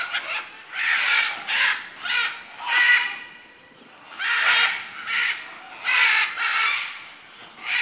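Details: Macaws in Manu, Peru, giving loud harsh squawks in bursts of about half a second, repeated irregularly with short gaps; a steady high insect hiss runs underneath.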